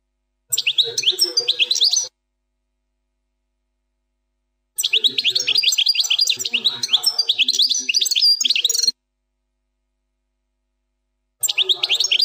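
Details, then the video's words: European goldfinch, plak mine song style without errors: three bursts of dense, high, tinkling twitters and chirps. The middle burst is the longest, about four seconds, and the bursts are separated by silence. "canto del jilguros plak mine,غناء حسون بلاك مين بدون غلاطات"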